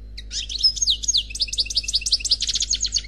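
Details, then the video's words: European goldfinch, an unpaired célibataire singer on CD, in Khalwi style: continuous high twittering that settles into a steady rhythmic series of bright repeated notes, about ten per second. "Chant Chardonneret Khalwi Célebataire"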